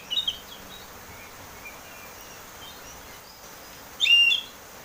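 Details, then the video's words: Oriental magpie-robin ngeplong lure song for prompting a cage bird: a quick whistled phrase, nearly three seconds of faint hiss, then one loud, pure, steady whistle. "pancingan burung kacer ngeplong biar cepat mau bunyi dan gacor"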